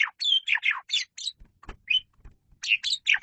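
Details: Asian pied starling singing 'gacor', a 'masteran' tutor recording: bursts of harsh, buzzy chatter and whistled notes, a pause with soft low thumps, then a fresh rush of scratchy phrases.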